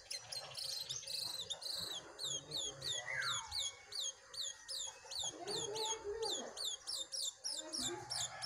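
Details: A Brown-throated Sunbird duel, wild against caged: a fast, steady run of bright, high, hooked chirps, roughly three per second, with a lower descending slur midway and faint warbling underneath.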